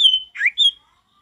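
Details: Brief burst from a singing male Mountain Tailorbird in wild forest style: a sustained high whistle, a rising slurred note, then another clear high whistle, followed by quiet.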